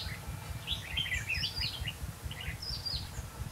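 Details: Trapping decoy red-whiskered bulbul, 5 November 2016, gives a rapid tumbling warble of bright slurred whistles in two bursts, with a low rumbling hum underneath.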